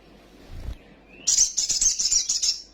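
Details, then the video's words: Sunbird, agitated and quivering its wings, singing a lure song full of fillers. A soft low thump is followed by a rising note that becomes a fast, piercing, high buzzy trill of rapidly repeated pulses. "PANCINGAN BURUNG KOLIBRI SOGOK OTONG BAHAN CEPAT EMOSI BUNYI FULL ISIAN SOGON NGELEPER"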